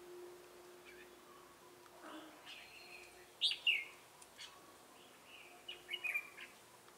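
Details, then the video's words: Red-whiskered bulbul decoy in a Bình Phước trapping session, 25 June 2018, with laughing 'Ché' song: a steady low hum at first, then a loud two-note slurred phrase and a quicker stuttering burst later. "Bẫy chào mào Ché cười"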